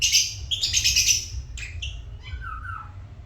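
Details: Lovebirds kept as pets, giving a string of shrill, harsh chirps in a rapid burst, then a few thinner squeaks and a lower whistled note, over a faint low hum.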